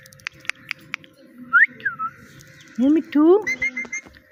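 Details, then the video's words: Little talking parrot indoors: a few sharp clicks, then arched whistles, then two strong voiced, rising word-like syllables followed by short whistled notes, like a mimicked "Mitthu". "Funny Parrot Talking – Mitthu Mitthu Moments!"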